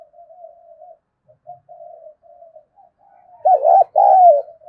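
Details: Spotted dove giving a fight-provoking coo: several quiet, low, steady humming notes with short gaps, ending in a loud pair of deep coos, the first with swooping loops and the second long and gently sliding down.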